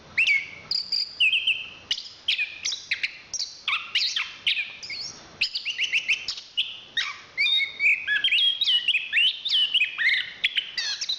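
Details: Long, energetic song from a champion chestnut-capped thrush (Zoothera interpres): dense streams of chirps, whistled slurs and scratchy trills, with phrases following one another almost without a break for over ten seconds.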